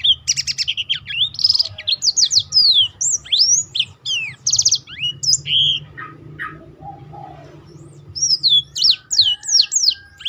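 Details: A persistently singing Black-throated canary, played as a model for other birds: a long chattering stream of buzzy trills, swooping whistles and sharp chips, pausing briefly before a final rush of descending notes.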